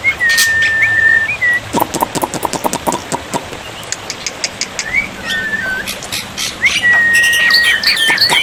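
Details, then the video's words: Black-winged myna song on a water-therapy tutor recording for silent birds: level whistles with curling ends, separated by bursts of sharp clicks, ending in a long whistle and twisting notes. "masteran burung jalak putih, jalak putih macet pasti nyaut"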